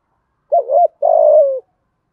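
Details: Single spotted dove coo phrase, played to spur other doves into cooing: a low wobbling two-part hoot that dips and rises, then a longer rough, gently falling coo lasting about half a second, in a quiet setting.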